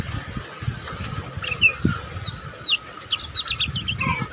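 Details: Juvenile oriental magpie-robin of the pastol kind in learning twitter: soft scattered whistled notes that build into a faster run of short, sharp chips toward the end, set against low rumbling background noise.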